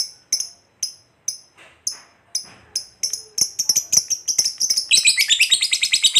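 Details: Lovebird, fighter type, giving a ngekek panjang used to provoke other lovebirds: sharp separate high chirps at first, then quickening into a dense, rapid, shrill chattering trill over the last seconds.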